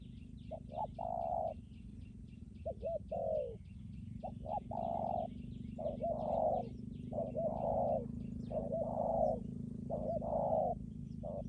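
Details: Decoy spotted dove from Lâm Đồng, Vietnam: repeated low coos in short-long groups, some rougher and overlapping, over a steady low hum and a rapid series of faint high chirps from small birds.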